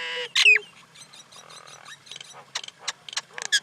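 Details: Common Indian myna delivering a mix of squeaky whistles, a low nasal note, soft gurgles and scattered sharp chirps and clicks.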